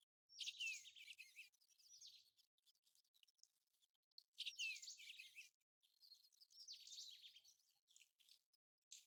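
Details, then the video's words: American golden plover gives three bursts of high, clear, slurred whistles, each about a second long and a few seconds apart, over a faint background rustle. "American Golden Plover Call | American Golden Plover Sound"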